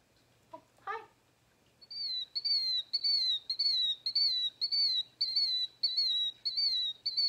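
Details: Killdeer, a bird of open ground near water, giving a rapid series of shrill, high, slurred calls, each dropping in pitch, nearly two per second; a brief different chirp comes first.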